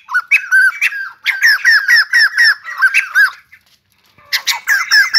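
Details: Dancing white-crested laughingthrush giving loud bursts of repeated harsh, downslurred squawking notes, a brief silent gap, then another burst of strident chatter.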